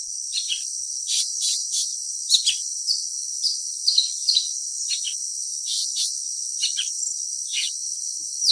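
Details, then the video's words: Blue-winged leafbird (Chloropsis cochinchinensis) calling with brief high chipping and slurred notes scattered every half second or so, partly buried in a constant high-pitched cricket chorus. "藍翅葉鵯/Blue-winged Leafbird"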